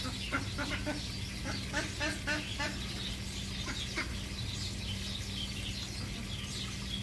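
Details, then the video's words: Several Egyptian geese calling: a burst of rasping, stacked honks packed tightly in the first half, then quieter, with high twittering of small birds and a constant low hum behind. "الأوز الفرعوني - Egyptian geese"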